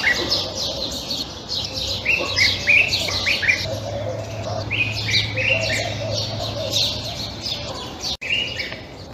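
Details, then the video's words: Common (Egyptian) Bulbul gives phrases of clear, fluty whistled notes repeated every second or so, amid a busy chorus of high chirping from other small birds and a low steady hum. "تغريد البلبل المصري. أعذب البلابل صوتاً Egyptian/Common Bulbul Twitter"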